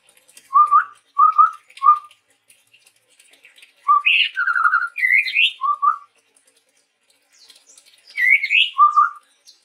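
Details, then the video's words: Chestnut-rumped babbler, male, from Sumatra's forests, singing eagerly: repeated short low whistled notes in pairs and threes, mixed with higher slurred upward whistles, spaced by brief pauses. "suara burung tepus tunggir merah gacor"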